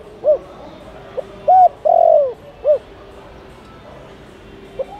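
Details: A single spotted dove phrase used to attract wild doves: short coo, clipped note, then a long, slowly falling coo and a brief end note, followed by near silence and a faint start of another phrase.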